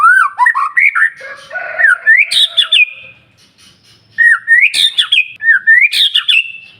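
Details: Singing white-rumped shama, used in the morning to spur other birds: rapid upslurred whistles build to harsh, crackling high notes, then after a pause a second similar phrase repeats twice more.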